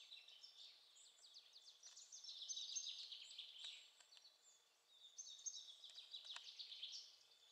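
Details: A flock of Eurasian siskins atop a pine tree keeps up a busy chatter of thin, high twittering and wheezy notes, overlapping several times a second, over faint background hiss.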